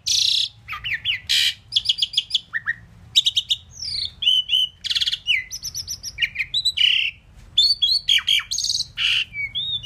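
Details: A talking Indian pied myna that can say 'Mynah' delivers a dense, varied stream of squeaks, rasps, clicks and slurred whistles in quick bursts, with hardly a pause.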